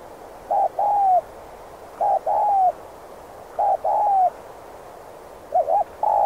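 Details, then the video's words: Spotted dove repeating its 'thúc gù' lure call for trapping wild doves: four phrases in steady rhythm, each a short clipped coo straight into a longer smooth coo that slides downward, then a wavering note. "Chim cu gáy kích bổi nhanh nổi/cu gáy Thúc Gù kích bổi ức chế mau gáy/dùng bẫy cu rừng hiệu quả"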